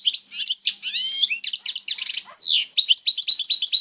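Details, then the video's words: European goldfinch in Algeria delivering a 'jbadat khalawiya' passage: fast jingling twitters, stacked whistled slurs and a falling sweep, bright and continuous. "جبدات خلوية تاع بكري canto jilguero argelia"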